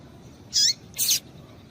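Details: Female rusty-collared seedeater calling to excite the male. Two short, high, piercing chirps come in quick succession about half a second apart over a quiet background.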